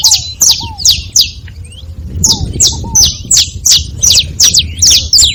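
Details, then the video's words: A group of saffron finches chirps: sharp, high notes repeated fairly regularly. A short pause comes midway, and soft lower hooked notes are heard early. "Canário da terra junto fazendo barulho"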